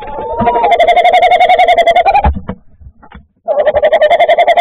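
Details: Tawny owl calling at night on 10 January to claim the nest where it will raise its chicks. Loud, wavering, tremulous hooting with rich overtones runs for about two seconds, breaks briefly, then resumes.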